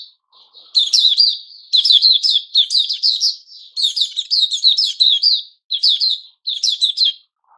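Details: A white-crowned shama, or Puteh Raja, growing new feathers, delivers a long run of loud, quick chattering phrases. Sharp clicks mix with rich whistled notes in clusters about every half second, then end with a brief pause.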